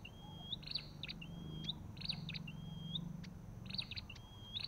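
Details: Olive-backed tailorbird repeating a rising whistle followed by a buzzy clicking burst, four phrases in under five seconds, over a noticeable low droning background.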